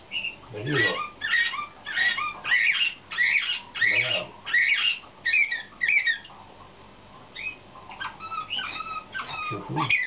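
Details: Competition-selected canaries in training, 2013, singing the nightingale-type slavujar style: a quick run of bright chirped syllables repeated rhythmically, then softer warbled notes and a few low knocks.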